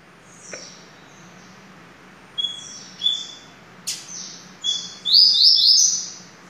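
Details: Double-collared seedeater song with several short high sharp notes, then a long whistled note that leads into a loud buzzy trill near the end.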